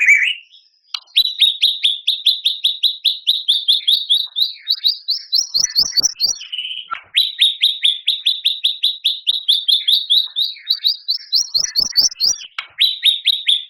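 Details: White-rumped shama in long rapid-fire song filled with borrowed phrases. Crisp, sharply repeated whistled notes come in long fast series, about six per second, gradually climbing in pitch before dropping back and restarting, twice over.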